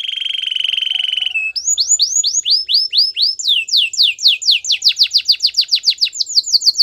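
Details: Canary song used for training: a steady rapid trill gives way to a long series of sharp upslurred whistles, repeated about four times a second and gradually speeding into a rolling run.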